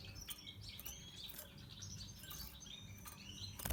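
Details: Natural pastel red siskin giving a faint, rambling song of high chirps, short whistles and gliding notes over steady background hum, ending in a brief clatter.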